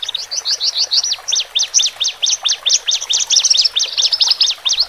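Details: Male and female Horsfield's bush lark song to ease newly separated birds into a cage. Loud, high, sharply sweeping chirps, each rising then falling, repeat in an uneven rapid chain throughout.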